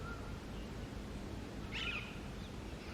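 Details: Female Alexandrine parakeet calling from the top of a tree, a single harsh, rasping screech of about a quarter second over a steady low rumble.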